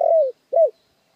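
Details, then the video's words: Spotted dove lure call: a long mellow coo sliding downward, then a shorter arched coo, both clear and loud against a quiet background. "tiếng chim cu gáy mồi chuẩn cực hay kích bổi"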